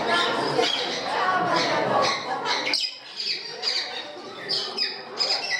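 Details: Harsh parrot screeches at a parrot house in Gdańsk, Poland: a dense, noisy stretch of calls and voices, then a run of sharp rising and falling squawks repeated about twice a second.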